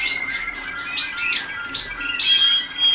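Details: Waterslager canary pupils at song school, early days of training; thin held whistles mixed with short chirps and squawky notes from several birds.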